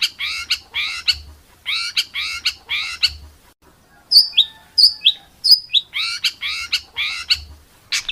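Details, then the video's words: Contest-bird tutor song of the harsh 'tembakan kasar' style: clusters of scratchy descending chirps, a pause, then sharp high whistled shots before the scratchy clusters return. "MASTERAN BURUNG LOMBA"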